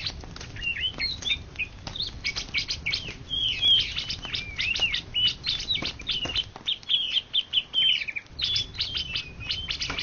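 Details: National champion greater green leafbird from Indonesia, 2013–2014, pouring out a continuous, fast chattering song of high twitters and whistles, with frequent sharp clicking sounds throughout.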